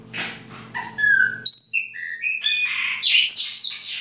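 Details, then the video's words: Baianinho song from a Chopi blackbird in winter: a sequence of separate clear whistled notes at varied pitches, some gliding down, building into quicker bright phrases. "PÁSSARO PRETO BAIANINHO E SUAS CANTORIA DE INVERNO !"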